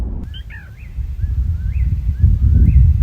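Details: Endangered Black Rail, New Jersey's rarest breeding bird, calling at night from the same spot as the year before, recorded on a phone. Faint, thin, high notes repeat quickly after an early louder layered burst, over a heavy low rumble.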